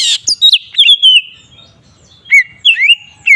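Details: Oriental magpie-robin singing in the "ngeplong" style, used to provoke other magpie-robins into agitation: a loud whistled note sliding down, then long wavering whistles, a pause, then more slurred rising and falling whistles.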